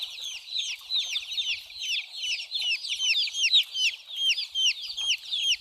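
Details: Baby chicks running about and drinking, giving a continuous tangle of shrill descending peeps from many birds at once, steady and busy throughout.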